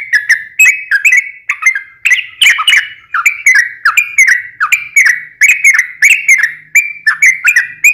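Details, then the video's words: Long, chatty fighting song of a Sooty-headed bulbul, played as a lure so another bulbul answers: a dense run of upslurred whistled notes in short bursts, some rougher and more buzzy, with faint low hum beneath. "trucukan gacor ROPEL PANJANG buat Pancingan trucukan agar bunyi"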